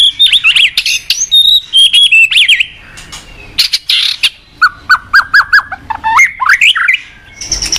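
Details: White-rumped shama (murai batu) kept caged, singing to train other shamas: rapid rising and falling whistles, then a series of short loud clipped notes repeated quickly and sweeping trills.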